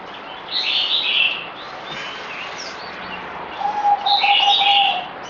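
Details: Zebra dove, a kept bird on its fourth day of deworming, recorded 17 April 2020; a low, steady cooing hum sits under loud, bright chirps from other small birds at the start and end.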